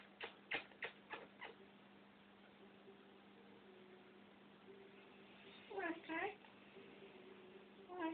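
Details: Pet African grey parrot, described as shy of the camera, giving a quick run of clicks followed by soft drawn-out tones and a pair of wavering calls, with a steady indoor hum underneath.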